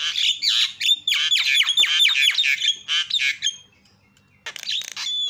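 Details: Javan myna calling to draw other mynas into calling: dense harsh chatter with whistled streaks for three and a half seconds, a pause, then another squawking burst near the end.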